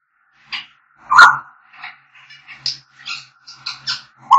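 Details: African grey parrots singing and whistling: a string of short whistled notes and harsh squawks near one to five kilohertz, some clipped and chattering, with brief gaps between bursts.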